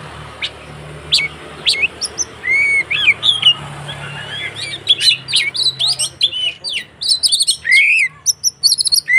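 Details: Fighting song of an Oriental magpie-robin, meant to goad rival magpie-robins into singing. Dense, varied high whistles, slurred notes and scratchy chips pour out almost nonstop, over a low background hum.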